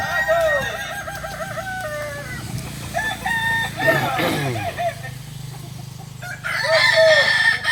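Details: Kukuak Balenggek roosters crowing at a practice contest in Solok, West Sumatra; long chains of short warbling segments overlap from several birds, with a human voice briefly around the middle and another loud crow near the end.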